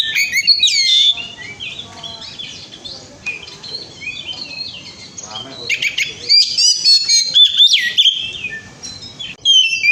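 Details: Oriental magpie-robin in loud, rich song used as a lure to make other birds sing: a rapid jumble of whistled, twisting high phrases and scratchy notes, with short pauses between bursts.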